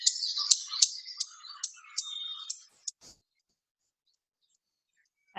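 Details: Dark-eyed junco on Protection Island in spring gives its common chip call, sharp high chips about three times a second, over a soft twittering background, then goes quiet.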